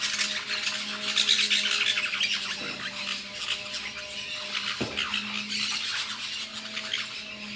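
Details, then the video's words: Lorikeets at La Fortuna squabble over fruit with loud, grating high squawks in rapid irregular bursts, a low hum underneath and a single soft knock partway through. "Lorikeets eating fruit in La Fortuna"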